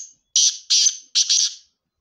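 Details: Black francolin in Sindh, Pakistan, giving harsh, grating, high-pitched notes in three bursts, the last one doubled, over about one and a half seconds, with nothing else audible.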